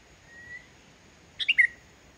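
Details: Sooty-headed bulbul in full song, without other birds' phrases mixed in, used to lure quiet bulbuls into singing: a faint thin whistle, then one quick three-note phrase stepping down from high to lower pitch.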